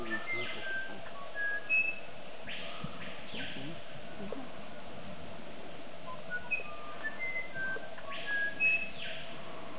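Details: Musician wren at Sacha Lodge, Ecuador, January 1, 2009: pure whistled notes at varied pitches, slow and spaced, with loud ringing whistles of a screaming piha behind and a steady low forest hum.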